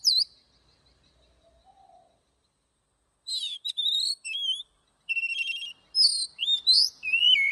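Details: Oriental magpie-robin singing in the morning, a long-note wild-style song: bursts of clear, varied whistles with rising and falling slurs, buzzy trills and sharp chirps, delivered in phrases separated by brief pauses, with a quiet low warble early on.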